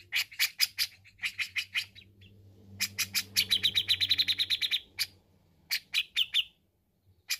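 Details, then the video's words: Grey-cheeked bulbul singing hard, recorded as a training song for kept birds: rapid clusters of harsh, high chips, then a fast rattling run of notes, then scattered louder chirps. A faint low hum sits underneath. "Suara Cucak Jenggot Gacor Untuk terapi jenggot Bahan"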